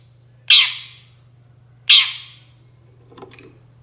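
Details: Long-tailed shrike voice meant to provoke other shrikes to reply: two loud rasping squawks about 1.4 seconds apart, then a faint scratchy chatter, with a constant low hum behind.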